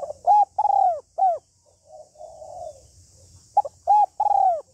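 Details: Female Spotted dove cooing to stimulate a male, a lure call mixing calling, urging and crooning coos: low, hollow, arched coos in quick three-note phrases, a softer drawn-out coo between, then another phrase; faint steady hiss above.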